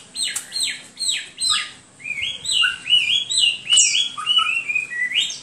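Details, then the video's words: Hwamei singing: a run of loud, downward-slurred whistles in quick succession, then a fluid stretch of rising and wavering clear notes with a sharp high accent near the end; background otherwise quiet. "HWAMEI SINGING"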